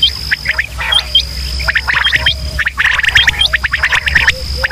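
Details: Male and female quail calling in Pakistan, used as a hunting lure: bursts of quick sharp chirps and upswept notes in irregular clusters, with a constant high-pitched whine and low hum behind.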